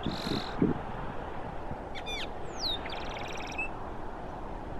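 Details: Austral blackbird vocalizing and bathing on Cerro Banitez, Magallanes Region, Chile, giving scattered sharp rising and falling whistles and a quick run of bright chirps over steady low rumbling background noise.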